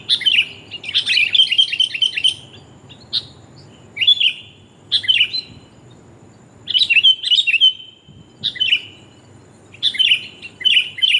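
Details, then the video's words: Lure recording of a female sooty-headed bulbul calling the male: repeated bursts of bright, bubbly chirps and slurred notes, separated by short pauses over about eleven seconds. "kutilang betina memangil jantan mp3 pikat burung kutilang paling jitu"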